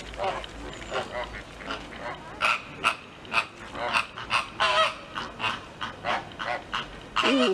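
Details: At a zoo, a flock of about 14 roughly same-aged American flamingos squabble with each other, trading harsh, goose-like honks in quick, overlapping bursts, several each second, with a nasal, grating edge; 15 September 2023.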